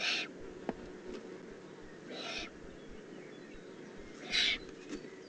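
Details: Young Eurasian eagle-owl, Eifel, June 2016, three rough hissing calls at uneven intervals, the last the loudest, over a low hum with a faint click.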